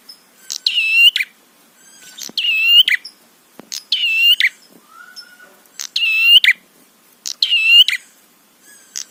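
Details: Provoking song of a prinia, aimed at stirring rival birds. Five rasping, buzzy phrases with clicks at either end arrive about every one and a half seconds; a faint short whistle sits between them.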